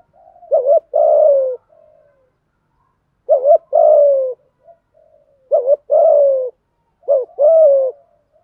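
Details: Male and female spotted doves cooing to excite wild birds: paired phrases, each a brief clipped note then a drawn-out, slightly descending coo, with gaps of one to two seconds between phrases, heard clean.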